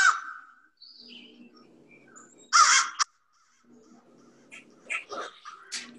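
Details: American Crow calling in a played recording, from a repertoire of communications rather than territorial song: one drawn-out harsh note at the start, a loud burst of raspy caw near the middle, then scattered softer calls over a faint steady hum.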